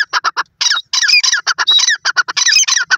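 A francolin gives loud, harsh, grating squawks in quick broken bursts, several notes each half second, with the phrases run closely together.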